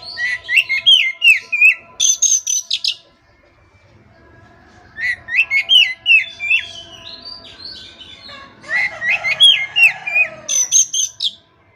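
Oriental magpie-robin singing rich, varied whistled phrases with sharp, buzzy notes in quick bursts. A brief quiet gap falls in the middle.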